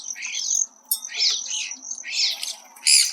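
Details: Male Hairy Woodpecker at a suet feeder at about 7,000 ft in piñon-ponderosa country, Chaffee County, Colorado, recorded up close: five short bursts of sharp, high, squeaky chatter in about three seconds over a faint low hum.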